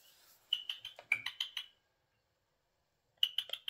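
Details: Eurasian jay living indoors in a home, said to talk and walk about like a human, gives two bursts of rapid, rasping clipped notes. The first burst has about eight notes, then there is a silent gap, then a shorter burst.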